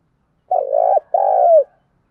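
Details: Spotted dove kept as a decoy, cooing to attract other doves. A two-part phrase: a rough, throaty opening note, a short gap, then a long mellow note that falls slightly at its end.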